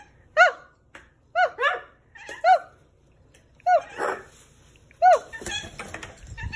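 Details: A blue pet parrot indoors gives short, hoarse, arching yelps, repeated about once a second. After five or six calls comes a burst of mixed scratchy noise.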